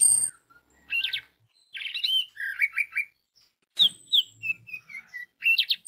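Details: Orange-headed thrush song used as a lure to make other orange-headed thrushes sing: varied phrases of short warbled and buzzy notes, bursts of quick chirps separated by brief pauses, with a thin high whistle near the end.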